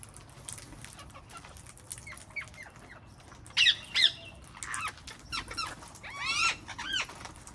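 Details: Wild parrots calling in a garden: soft short chirps build to two loud, grating squawks, followed by a run of rising, harmonic screeches and shorter harsh notes.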